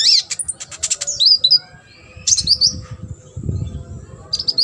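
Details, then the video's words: Sunbird singing for a competition-bird tutor track: fast, high twittering bursts of sharp notes and warbled whistles, pausing briefly before resuming, with soft low rumbling noise between phrases. "KONIN GACOR ISIAN MASTERAN UNTUK BURUNG LOMBA."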